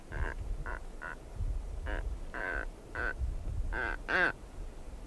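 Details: Close recording of a female blue-footed booby moving around the nest site, giving about nine brief honking quacks at uneven intervals, the last one louder and rising, with a steady low rumble underneath.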